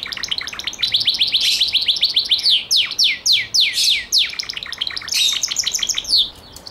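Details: A canary identified as a Gloster sings a fast, high song: rapid rattling trills lead into a few loud down-slurred whistles, then more bright trills; the finding is Belgian canary.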